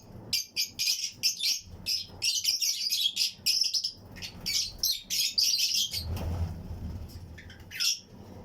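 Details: Flight colony of Fischer's and Lutino lovebirds in an aviary breeding setup: rapid, continuous, shrill chirping and chatter for several seconds, then a lull with low rumble and one final rising squeak.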